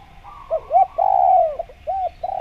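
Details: Spotted dove in lively calling form, recorded as a lure for trapping wild doves: two short arched coo notes followed by a long drawn-out purring coo, then two more brief coos, over a steady low hum.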